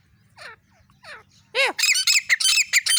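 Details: Female grey francolin (teetar) recorded on an iPhone. Two faint descending notes are followed by a loud, harsh burst of rapid squawking notes, repeated about four times a second.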